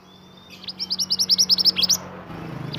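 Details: Lively mantenan song from an Indonesian native bird: a thin whistled note, then a fast run of about fifteen bright, high, rising chirps delivered evenly, with a steady low hum beneath.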